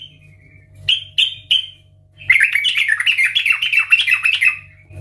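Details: Yellow-vented bulbul in loud ngeplong song for coaxing other bulbuls: three short whistled notes, a pause, then a long rich tumbling warble lasting nearly three seconds, with a faint low hum.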